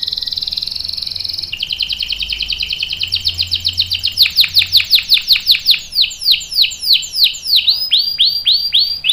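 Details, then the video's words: Canary singing a long roll: a fine rapid trill, then a series of repeated downward-sweeping whistled notes that speed up and grow louder, ending in high clipped phrases. "KENARI GACOR NGEROL PANJANG"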